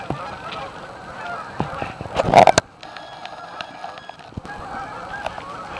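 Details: A Canada geese staging area at Amber Trails Lake, Winnipeg, Canada: a busy honking chorus with a loud close honk burst midway and a short lull before the flock noise resumes.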